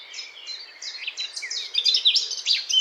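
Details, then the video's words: Eurasian blackcap song that starts as soft, scratchy twittering and builds into louder, brighter whistled phrases with rapid pitch jumps near the end. "Vogelgesang: Mönchsgrasmücke (Sylvia atricapilla)"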